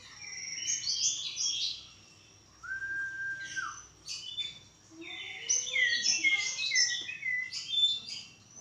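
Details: White-rumped shama at a mating pairing, delivering dense, rich warbling phrases broken by a long steady whistle, with another bright burst of notes later.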